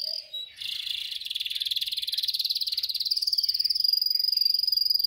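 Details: Canary singing for canary training: a brief whistle, then a long very rapid rolling trill of evenly pulsed notes that grows steadily louder and slightly higher.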